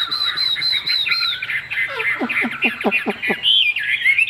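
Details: Chinese hwamei, caged, with a leaf-shaped tail, holding a long wavering whistle, then a burst of rapid descending notes repeated several times, ending on a bright high whistle.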